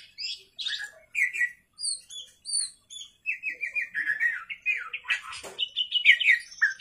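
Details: Night-time song of an Oriental magpie-robin, a string of separate high sweet whistles and chirps, then a faster run of jumbled warbling phrases, with one sharp click near the end.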